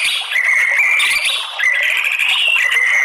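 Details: Lure recording of white-rumped shama song meant to rouse males to sing and fight: a continuous run of loud, ringing whistled phrases with rapid shifts in pitch and no pauses.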